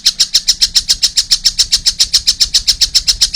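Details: A very regular series of sharp, high notes from a young collared kingfisher, about four per second without a break.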